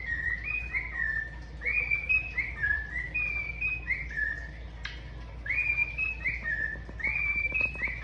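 A cockatiel sings a clear whistled phrase of stepped notes near two to three kilohertz, repeated twice.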